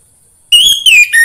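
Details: Brief orange-headed thrush phrase used to prompt kept birds into song: a sustained pure whistle that wavers slightly, then drops in pitch, followed by a lower rising note.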